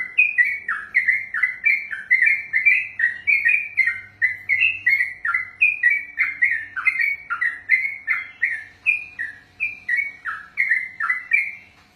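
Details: Sooty-headed bulbul (trucukan), a kept songbird trained for contests, singing a long 'ropel' run: rich whistled two-part phrases, a high note dropping to a lower slurred one, repeated rapidly and without pause for the whole stretch.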